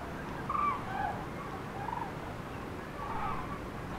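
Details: Migrating common cranes passing over central France on 5 March 2016 during the spring return, groups broken up by stormy weather; a few rolling, trumpeting calls come in bursts, with quieter gaps and steady wind noise underneath.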